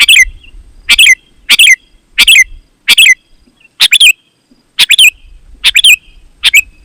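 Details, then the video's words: Rapid gacor singing of a sooty-headed bulbul, used as a lure for wild and home birds: evenly paced double-note bubbly phrases nearly every second, with a soft low rumble underneath. "Suara Burung KUTILANG GACOR, Ampuh Untuk Suara Panggilan Burung Kutilang AUTO Ikut Gacor"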